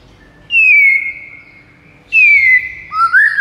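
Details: White-rumped shama singing to lure rivals: two long, pure whistles that slide slightly downward and hold steady, followed by a quick rising and falling whistled flourish.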